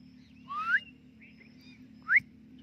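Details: Rose-ringed parakeet, a talking parrot, reacting in front of a mirror: two clear, rising whistled notes about a second and a half apart, the second shorter and sharper, over a low steady hum.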